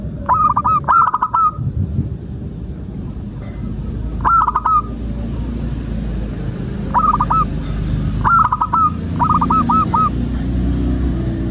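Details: Zebra dove of a local type, singing in a lure recording meant to get other doves calling: several bursts of rapid, bubbling coo notes at steady pitch, the last a longer string of four or five beats, against a steady low hum.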